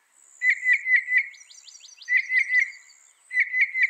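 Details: Northern mockingbird, said to copy 200 sounds, delivering rolling bursts of four or five liquid warbled notes, each burst about half a second apart in series, with soft twittering between bursts and faint high hiss.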